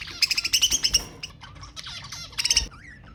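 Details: Budgerigar chatter with sound meant to stimulate mating: a rapid run of loud pulsed chirps, then softer descending notes, another sharp burst, and a thin whistled tail.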